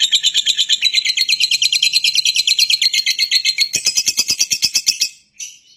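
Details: Lovebird chattering in fast, scratchy, high-pitched bursts that run together into a continuous shrill stream, then stopping abruptly with a short pause and a faint final note.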